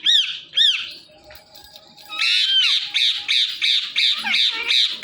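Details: Indian ringneck parakeets, a pet male and female pair, making morning sounds indoors: two loud arched squawks, a quiet gap, then a rapid run of harsh high screeches with a rising whistle.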